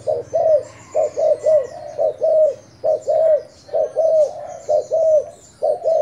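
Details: Thai decoy spotted dove cooing in repeated phrases of two or three soft notes, the final one longer and arched, about once a second, with faint high birdsong in the background.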